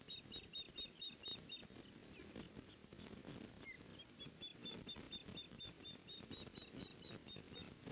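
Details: Female osprey at a nest on 14 May 2019 around 14:13, denying an intruder access while her mate chases it off: series of short, thin, high whistled chirps repeated rapidly, pausing midway, over wind and rustling noise.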